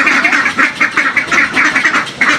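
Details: Domestic ducks calling noisily for food: a dense chorus of rasping quacks overlapping in quick succession, several birds at once, loud and continuous.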